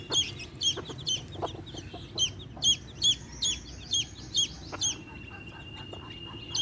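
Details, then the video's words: Chirping of baby chicks beside a hen. Sharp, high, bent peeps come about twice a second, with scattered soft clicks below and a thin steady high tone later on. "Hen sounds | chicks sounds | relaxation sounds | hen videos | baby chicks chirping sounds"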